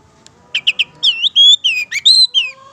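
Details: Short passage of Madura Long-tailed Shrike song for bird training: three quick clipped notes followed by a string of smooth whistled slurs, some rising, some falling, one long and steady.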